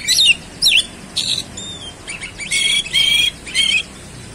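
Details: Very chatty oriental magpie-robin, called kacer, in fast 'roll speed' delivery revealing its 'isian' fills: swooping whistles, then loud grating buzzy phrases repeated about every half second.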